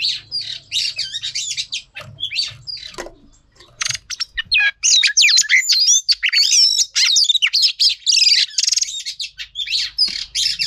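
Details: Female Oriental magpie-robin, used to stir males into singing: dense, varied song of rapid high whistles, slurred trills and sharp chirps, nearly continuous, with one brief pause near four seconds.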